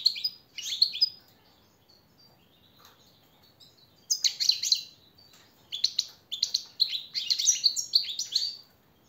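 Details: European goldfinch singing, a master training song meant to motivate captive birds: a bright twittering burst, a long silent gap, then renewed phrases of rapid chirps and liquid trills broken by brief pauses.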